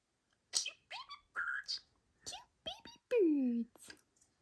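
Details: Pet budgie talking after a nail trim, first upset and then happy; a rapid string of short, squeaky, speech-like syllables with clicks and sliding chirps, ending in a longer descending whistled note, indoors in a quiet room.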